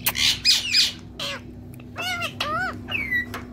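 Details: Pet Indian ringneck parakeet indoors, giving a rapid run of harsh squawks followed by bent, whistled chirps, some rising and falling, over a steady electrical hum in a small room.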